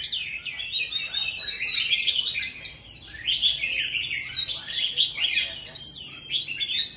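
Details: An old, wild-caught Oriental magpie-robin sings loudly and without pause, a rich run of varied whistles, trills and scratchy notes that shift in pitch from phrase to phrase.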